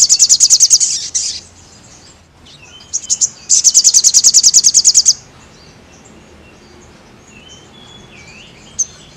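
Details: Energetic crested jay singing, meant for training caged birds: rapid, high, machine-gun rattles of clipped notes in two long bursts, with a few scattered chips and quiet background between them.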